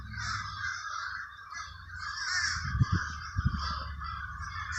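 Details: Crows in the Villa Park area of Trenton, New Jersey fill the air with a constant raspy chorus, over a steady low hum and a few knocking sounds near the end.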